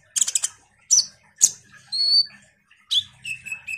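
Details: Common iora in lively, chatty song used as a lure for sunbirds: a quick burst of chips, then two sharp downslurred notes, a level high whistle, and thinner sustained whistles.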